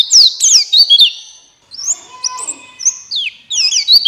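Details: White-eye of the buxtoni form giving stimulating forest-style song: rapid high warbled phrases, a short lull with softer notes, then renewed bright twittering.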